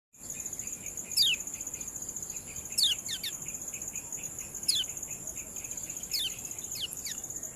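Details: Lemon-bellied white-eye (kecial kuning), a training recording of its ciak call: sharp descending sweeping notes repeated about every one and a half seconds, over a steady high-pitched insect drone.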